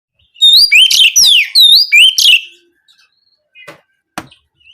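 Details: Oriental magpie-robin (kacer) singing in the "nembak kenari" style, canary-like rapid shots, used as therapy to get the bird singing for daily practice and contests: loud, high whistled notes with upslurred and looping phrases, then a few faint chips.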